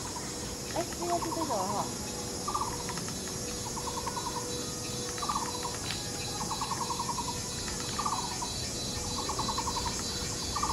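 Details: Taiwan barbet pair courting and nesting in a tree hole at Yixuekeng nature park, Taishan, Taipei County. Short trains of hollow, monotonous 'kuo' notes recur every second or so under a dense insect chorus and background hiss.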